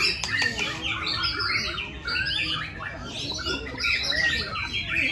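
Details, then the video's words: Contest-singing white-rumped shama producing isian filler phrases early on: loud, varied cascades of whistled and scratchy notes, rising and falling quickly in bursts, with steady low hum underneath. "Lomba Murai Batu Keluar Isian Di Menit 1"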